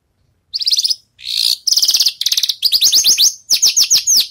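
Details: Javan bush lark practising songs once its moult is over: loud, high buzzy trills and rattles that shift into fast, sweeping chirped notes, running almost continuously for four seconds.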